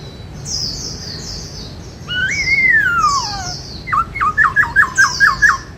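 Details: White-cheeked laughingthrush, a kept songbird, giving its 'bắt cô trói cột' style song: soft high squeaky notes, then a long clear whistle gliding downward, ending in a quick string of about eight short clipped notes.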